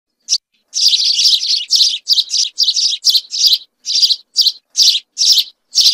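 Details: A group of house sparrows singing: bursts of harsh, bright chirps, roughly two per second, some running together into rapid chattering runs, with short gaps between. No other sounds.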